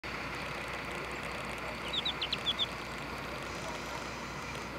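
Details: An adult alpine accentor, possibly the father, sings while its family group feeds on the ground, Nagano, 24 July: a short burst of about six high, chirping warbled notes in under a second, over a steady rush of wind or water.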